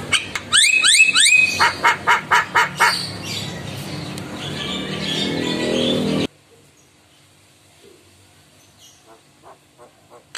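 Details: ['Javan myna in full song, bobbing its head in response to calls from another myna. Quick rising whistled notes and harsh chattering bursts fill the first three seconds, then a noisy hiss, then near silence with faint ticks.']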